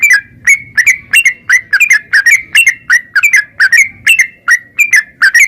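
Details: Yellow-vented bulbul song in the narung ropel style, used to prompt a bird to sing: bubbly, slurred two-part whistles repeated about twice a second without pause, with a faint low rumble underneath.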